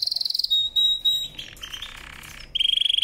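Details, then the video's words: Canary song in quick changing sections: a short rapid trill, a steady whistled note, a broad buzzy passage, then a fast trill repeated at a lower pitch. "CANARY SINGING POWERFUL SONG"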